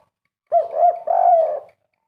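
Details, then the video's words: Spotted dove giving its kuk 3 call, described as sounding as if in the wild: a soft, low cooing phrase of two short rounded coos followed by a longer drawn-out coo, with quiet surroundings. "merdunya suara burung derkuku kuk 3 serasa dialam liar"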